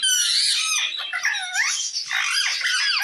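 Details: Parrot calling another parrot in a steady stream of loud squeaky chatter, mixing sliding whistles with rough, grating notes.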